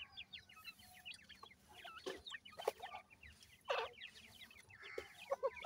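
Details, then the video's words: Hand-reared francolin chicks make a steady stream of short, high, rising peeps from several birds at once, broken by a few louder scraping bursts. "indian pheasant chicks,indian teetar k bachay"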